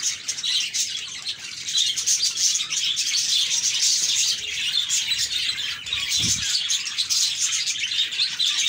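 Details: A crowd of happy parakeets twittering, rapid overlapping chirps and trills forming a steady bright chatter, with one brief low thump partway through.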